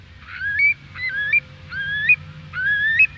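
Eurasian curlew giving four clear, rising whistled notes, one roughly every three-quarters of a second, each sliding upward to a brief quavering end, over a faint low hum.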